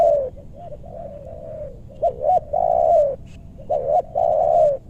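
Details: Spotted dove cooing during wild-bird luring in a meranti-wood forest of western Bogor, Indonesia; soft trailing coos give way to paired short upturned notes and loud, long, slightly falling coos, repeated twice.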